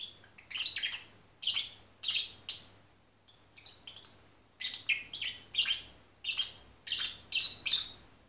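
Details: Lovebird singing half-asleep, softly, in rapid bursts of high, scratchy chirps and squeaky twitters, repeated roughly every half second with brief pauses, in a quiet indoor room.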